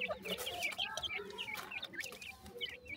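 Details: Five Dakhni grey francolin chicks with their mother at feeding time give a dense chorus of shrill, overlapping peeps and rising chirps, with a few lower soft notes beneath.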